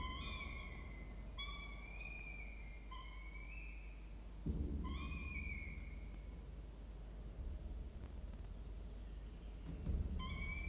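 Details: Falcon nestlings, three weeks old, apparently one male and one female, calling at the nest: drawn-out, whining harmonic wails in a series roughly every one to two seconds, some rising slightly, over a steady low hum.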